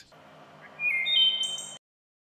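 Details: A Wood Thrush singing to defend its territory in fresh green May woods of the eastern United States gives a brief song phrase: pure, flute-like whistled notes and a high, buzzy trill, over a faint background hum.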